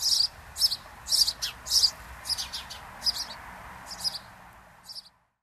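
A house sparrow gives short, bright chirps, about two per second, in a steady irregular series with a faint background hiss.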